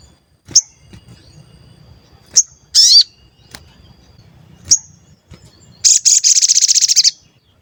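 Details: Crimson sunbird, a lure for stirring other birds to sing and respond. Isolated piercing high chips and a brief buzzy note lead into a rapid, dry, rattling trill of about a dozen pulses.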